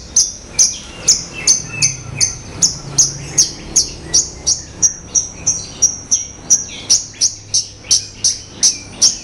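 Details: Horsfield's bush lark (Mirafra javanica), possibly a kept bird, gives sharp, high chirps repeated steadily about two or three times a second, with a faint low background murmur.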